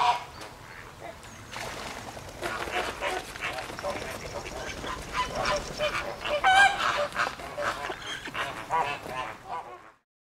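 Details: Noisy flock of flamingos at the Llanelli Wetland Centre in Wales, 21 August 2021, giving dense overlapping honking, goose-like calls with nasal tones, building and staying busy throughout before ending abruptly.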